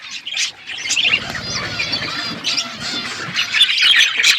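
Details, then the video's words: Several pet budgerigars on a winter morning, a dense stream of high chattering chirps and squawks overlapping without pause, with a faint low rumble underneath midway. "Budgies enjoying winter morning birds chirping sounds"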